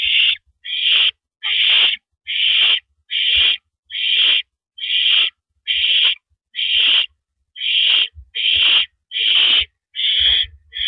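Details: Evening of April 9, 2012, 8:17 PM, an owl sits on a porch perch before a live camera, uttering a long series of about thirteen harsh, raspy hisses spaced evenly, under a second apart, with faint taps.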